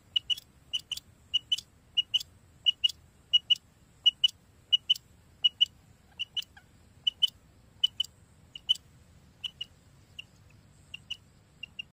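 Rain quail giving sharp, metallic double notes, 'which-which', repeated steadily about once a second over a quiet background.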